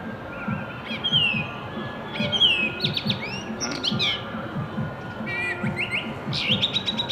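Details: Blackbird singing tunes in Shanghai, March 2015: varied whistled phrases with sliding notes and quick trills. A loud, low, regular thumping noise runs underneath throughout.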